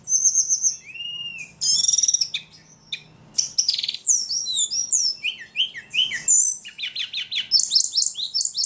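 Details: Ledekan bird in full, very vocal song: clear high whistles, a buzzy burst, then rapid cascades of short sliding chirps and trills.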